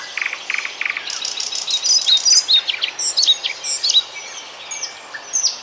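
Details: A European pied flycatcher sings in Bryansk, Russia: a quick, high, sweet phrase of varied chips and thin whistles, opening with several short lower notes, then rapid rising and falling trills.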